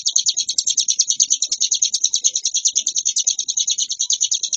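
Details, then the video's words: Hill prinia, ciblek gunung, in varied nonstop ngebren singing: a steady, unbroken run of quick, high-pitched chirps repeated many times per second. "Suara burung Ciblek gunung gacor variasi ciamik ngebren nonstop"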